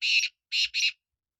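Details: Black francolin giving a grating, buzzy note, a pause, then two quick harsh syllables back to back, with no other sounds around.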